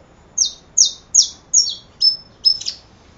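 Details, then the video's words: Saffron finch song: six crisp high notes at a steady pace, the first ones sliding down, the later ones flatter and more level, a faint click in between. "Canario da terra"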